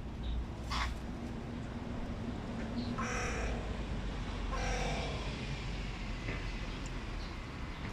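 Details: Adult male hooded crow voicing displeasure at a competitor. A few rasping, drawn-out caws at about mid-clip, with a sharp click near the start and a constant low rumble behind.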